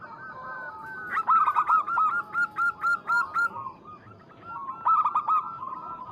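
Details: Local perkutut, the zebra dove, used as a lure to call a rival: loud hooked coos in a rapid rhythmic series, a quieter stretch, then another short burst, with softer cooing from a second bird behind.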